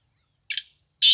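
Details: Black francolin giving a harsh, scratchy note followed half a second later by the start of another loud, grating note; otherwise quiet.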